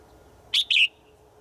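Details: Calling to a male in the forest every day, a female bird gives one sharp two-part chirp, a brief high note followed by a longer, gently falling one, with a faint steady low tone underneath.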